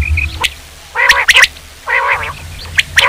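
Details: Quail (batair) giving two rasping, harmonic call bursts about a second apart, with faint higher notes between them and a low background hum.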